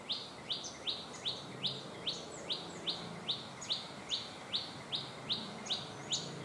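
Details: Cit kemade bird active in its natural wild habitat, giving a high, sharp chirp repeated steadily about twice a second, each note slurring quickly downward, with faint background hiss.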